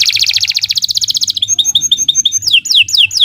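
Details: Long canary master song meant as a model for young birds: an opening fast, bright rattling trill of evenly spaced high notes, then short clipped chips and swooping descending whistles. A faint low background hum is present.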